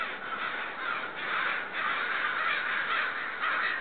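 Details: A flock of neighbourhood crows caws loudly and insistently, seemingly upset, in a short burst of thick, raspy, overlapping calls that rise and dip in loudness almost twice per second.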